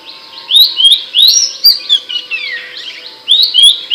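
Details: Loud and sharp Abbott's babbler song as tutor audio for songbirds: rising whistled notes in pairs, a longer slurred note falling in the middle, then further whistles, with high ticks faintly heard.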